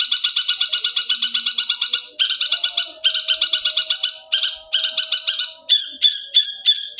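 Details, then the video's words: Long-tailed shrike song used as a training recording for captive birds: dense, harsh, buzzy repeated notes in rapid bursts, broken by short pauses, with a faint low whistle beneath. "MASTERAN SUWARA BURUNG CENDET"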